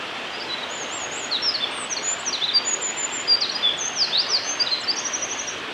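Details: A Eurasian wren sings in Hyuga Valley on 27 March 2022, pouring out rapid high trills, steep downward sweeps and thin sustained whistles that build into a dense, loud burst midway, over continuous rushing background noise.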